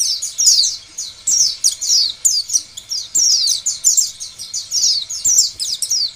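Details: Quick, thin, high twittering from an Oriental white-eye, a lure song to start other white-eyes singing, delivered in short energetic bursts of downslurred notes with tiny gaps.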